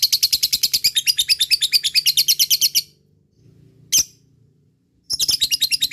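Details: Fighter lovebird in gacor ngekek style to prompt silent lovebirds: nearly three seconds of rapid harsh chatter, a pause with one sharp burst, then the chattering trill resumes.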